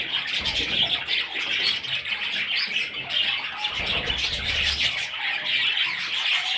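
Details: Parrot chicks keep up steady high, scratchy chirping from several birds together, with soft low knocks of movement now and then.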